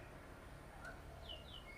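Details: An old white-rumped shama gives a few short, clear whistled notes: one lower note, then two higher downward-slurred whistles and a final level one, over steady low background rumble.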